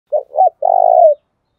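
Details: Spotted dove giving a 'thúc gù' cooing phrase of the kind used to train dove voices: two short, low, hooting notes, then a longer, throbbing coo that falls away at the end, with no other sounds.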